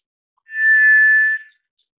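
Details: White's thrush, also known as tiger thrush: one clear, steady whistle of around a second that begins smoothly and fades out quickly, against otherwise silent surroundings.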